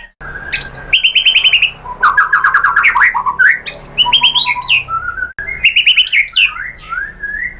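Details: White-rumped shama used as a lure to provoke other birds: varied loud song of whistled notes, rapid trilled runs near the upper range and sweeping phrases, delivered in bursts with brief breaks.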